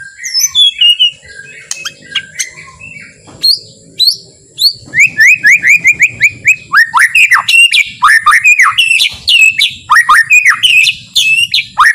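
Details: White-rumped shama singing a soft, relaxed song meant to provoke other shamas into singing and agitation: scattered high whistles, then a dense run of rapid rising and falling whistled notes, each repeated about twice a second.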